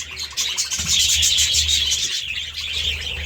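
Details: Budgerigars eating seeds and vegetables: busy, continuous high chirping and warbling chatter with rapid overlapping notes, plus some low thumps in the background.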